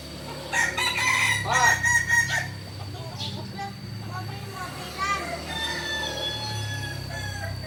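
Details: Kukuak Balenggek rooster from Solok crowing: a loud string of rapid harmonic notes over about two seconds, stepping and wavering in pitch, followed by quieter distant crowing and a steady background hum.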